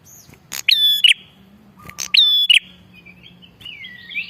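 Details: An energetically calling Bar-winged prinia, a lure recording for trapping wild prinias. Two ringing phrases, each a click and a sharp steady whistle, arrive close together, followed by quieter wavering, rising whistles.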